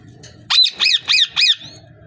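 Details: Parrot giving four loud, harsh squawks in quick even succession, each a rough arched note about a quarter second long, with a faint low hum between them.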